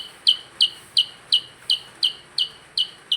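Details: Percang in lively song, repeating loud, sharp, high chip notes at a steady rate of about three per second against light background noise.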